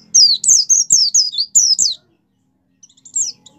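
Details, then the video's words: Lively song of a caged white-eye, played to prompt other kept white-eyes to start singing. One quick run of high, slurred chirping notes lasts nearly two seconds, followed by a short faint fragment. "suara pleci gacor pendongkrak mampu membuat pleci buka paruh"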